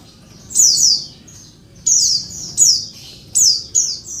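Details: An Oriental white-eye female calls to provoke males, giving thin, high, downslurred buzzy chirps in pairs, spaced by short silences, with the sequence picking up toward the end.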